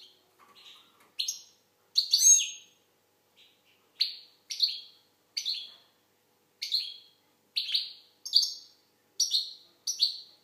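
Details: Algerian goldfinch repeating paired, high, ringing twittered notes at fairly steady intervals of about a second, with one fuller trilled burst near the start; otherwise silent.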